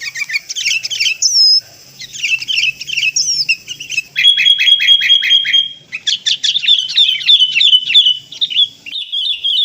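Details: Sooty-headed bulbul sound used to lure birds: varied bright chirps and whistles, a steady high whistled tone in the middle, followed by rapid repeated twittering notes.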